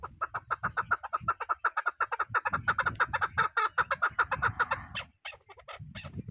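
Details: Chukar partridge, kept as a hunter bird, giving a fast run of loud clucking notes, around five per second, in a steady chattering series that breaks off near the end, with low thumps and handling noise underneath.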